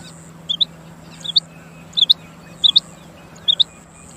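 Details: Rain quail (chinga batair) calls clearly and loudly with five crisp, high doubled notes, 'whit-whit', evenly spaced under a second apart. A faint high whine hums in the background.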